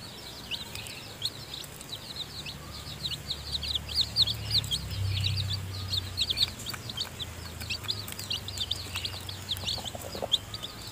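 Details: Newly hatched chicken chicks, too weak to leave the nest, chirp steadily while the mother hen feeds them. Their high, quick peeps overlap continuously above a low rumbling background.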